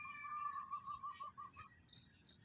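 Red-wattled lapwing giving a quick run of sharp, repeated notes for about a second and a half, followed by fainter high calls over a thin, steady insect-like hiss.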